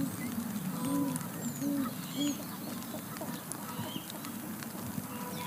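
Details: Distant great horned owl in Charlo, Montana, USA, answering his nesting mate in the rain: three low, flat hoots spaced about half a second apart, faint beneath steady rain crackle.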